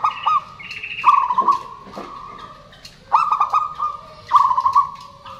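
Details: Local zebra doves calling back and forth, male and female, as a lure to prompt silent birds to sing: stuttered coos flowing into long level notes about every second. A brief higher whistle opens the sequence.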